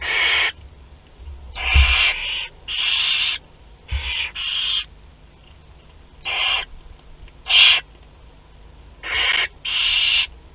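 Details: Young barn owls, 2 to 12 days old, feeding together at Théding, France, on 29 April 2021. Overlapping harsh hissing rasps, some paired back to back, about ten in ten seconds, with occasional low knocks.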